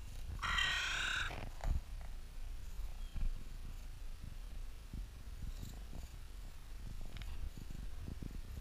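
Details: Crow in Clara Park in spring, one of several birds there, played in mild slow motion: a single hoarse, drawn-out caw near the start, then low rumbling background noise with faint scattered clicks.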